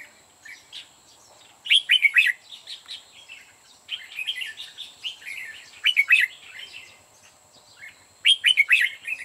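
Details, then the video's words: Decoy red-whiskered bulbul singing at a trap to attract others: lively, jumbled whistled phrases repeated in loud bursts every two to four seconds, softer notes between, and a constant thin high whine. "Bẫy chào mào tập sự"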